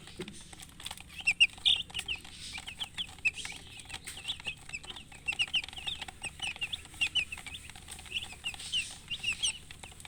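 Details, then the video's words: Several chicks with their hen, a murgi hen, chirp in scattered bursts of high, short, slightly downslurred peeps, several per second, over a quiet background with faint rustling. "silly chicken chirping sounds with murgi hen color chicken"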